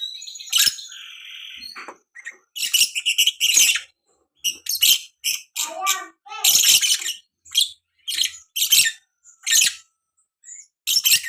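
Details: Young lovebird, kept in Salatiga, Indonesia, delivering an erratic, rapid chatter. Harsh, hissing high-pitched squawks and chips come in short bursts at uneven intervals, with brief gaps of silence between them.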